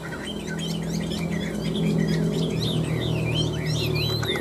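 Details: Two tame caged Chinese hwamei, kept three years and very lively, sing in competition. They pour out rich, rapid, varied whistled phrases that rise and fall, several notes a second, over a low hum and faint talk.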